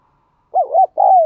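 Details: Captive spotted dove sound played to prompt other doves to coo: two soft arched coo notes, a brief gap, then one long sustained coo that slides slightly downward.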